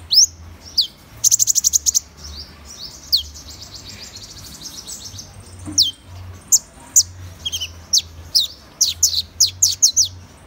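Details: Van Hasselt's sunbird opening with a rapid, high trill, then a quieter stretch before a lively series of sharp, slurred chips.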